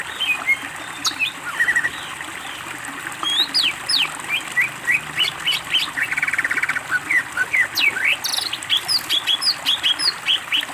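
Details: A greater green leafbird pours out rich, varied song on a master recording meant to teach other birds. Steep whistled sweeps, chips and a brief buzzy trill run in dense, rapid phrases with hardly a pause.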